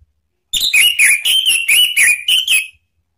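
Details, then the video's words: Orange-headed thrush calling to provoke rival birds: a rapid run of about seven loud whistled notes in roughly two seconds, each slurring up or down, slightly uneven in pitch and spacing. "SUITAN ANIS MERAH MEMANCING LAWAN JADI NGEPLONG"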